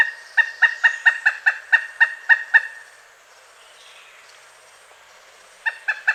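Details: Quick run of about ten sharp, ringing kuk notes from a pileated woodpecker, then near silence for three seconds before three more notes close the sequence.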